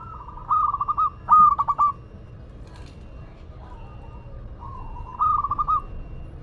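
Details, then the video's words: Local Madura zebra dove delivering quick stuttered coo bursts in close succession, a pause of soft distant cooing, then another loud pulsed phrase. "Perkutut Lokal Madura Gacor"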